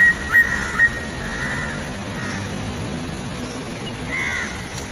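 Greater racket-tailed drongo giving a few short, clear whistled notes, two quick ones at the start and another near the end, over a steady background hiss.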